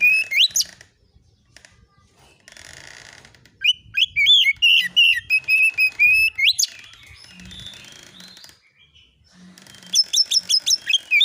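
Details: Kacer, the oriental magpie-robin, konslet-style lure with fill notes meant to provoke answers: three bursts of rapid, ringing whistled notes, the middle one longest, between stretches of faint hiss.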